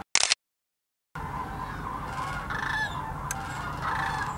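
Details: At Hiwassee Wildlife Refuge in Birchwood, Tennessee, a huge migrating flock of sandhill cranes calls: after a short burst and a second of silence, a steady wash of rolling, croaking bugles fills the rest.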